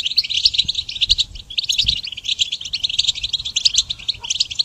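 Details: Goldfinch singing as a training model for songbirds, an unbroken stream of sharp high chirps and buzzy trills delivered at a brisk, jangling pace.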